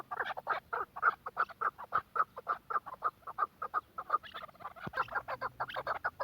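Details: Quetta chukar partridge calling with rapid repeated chucking notes, even at first and then crowding together into a busier, overlapping burst near the end.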